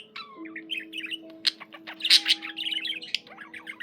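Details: Pet budgie's chatter: a quick series of bright chirps and twittering notes that grows into louder, harsher chips midway, then trails into softer rapid warbling, with steady low tones behind.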